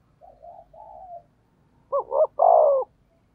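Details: Lure call of a spotted dove meant to draw wild doves: a few quiet, low murmuring notes, then a sharp double note and one long, loud, throaty coo.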